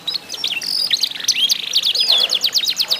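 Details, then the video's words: Canary song from a singing contest used as sound therapy to prompt other canaries to sing: rapid high whistles, trills and swept notes, dense rolling phrases with fast repeated chirps toward the end. "ADU GACOR KENARI ISIAN"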